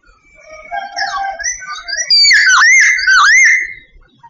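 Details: Singing sooty babbler of Vietnam: a long phrase of sliding whistles building to loud, wavering, rolling notes before fading, with no other sounds.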